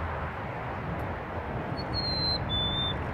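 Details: Black-capped chickadee singing in Burlington, Canada, on March 26, 2018: two clear, pure whistled notes, the first higher and shorter, the second slightly lower and held longer, heard over a steady low rumble of background noise.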